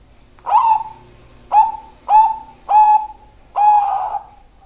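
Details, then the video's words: Zebra dove song of five mellow, low-pitched coos, each with a brief rising start and a steady hum, roughly a second between notes, the final one drawn out longer. "perkutut suara indah"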